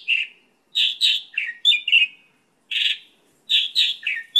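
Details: Mongolian lark song for training and luring birds: loud, slightly harsh chirps and short slurred notes in uneven groups, with brief gaps between clusters.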